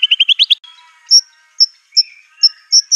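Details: White-rumped shama (murai batu) singing fiercely with imitated material of canary, cililin, cungkok and lovebird: a fast run of six rising chirps, then sparse thin high whistled notes spaced about half a second apart.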